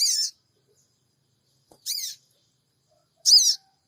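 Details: Lure recording of a sooty-headed bulbul from Purbalingga, captured with an Android phone, giving 'cingik cingik' calls: three brief scratchy, buzzy high notes spaced roughly every one and a half seconds over silence.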